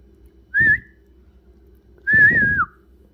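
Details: Friendly pet parrot talking at home: two clear whistled, slightly wavering notes with a rough, buzzy undertone, the second longer and falling at its end, about one and a half seconds apart, with quiet background hum.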